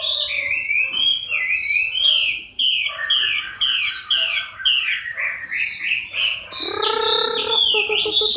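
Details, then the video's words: Moulting Chinese hwamei in October 2015, pouring out rapid, loud whistled phrases that sweep up and down, repeated roughly once a second, ending with a harsher, fuller burst. "HỌA MI THAY LÔNG"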